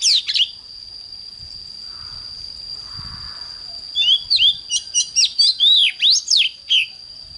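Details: Oriental magpie-robin singing its morning 'căng lửa' song: a sharp opening burst, a quiet gap with faint low noise, then a fast run of about ten whistled and chattered notes and swooping sweeps, over a steady high tone.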